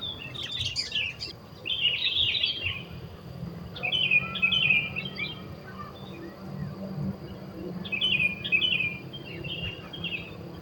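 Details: Sooty-headed bulbul singing in the wild at a bird-trapping site: three spaced groups of quick, warbling, slightly buzzy notes, each about a second long, over constant low outdoor noise.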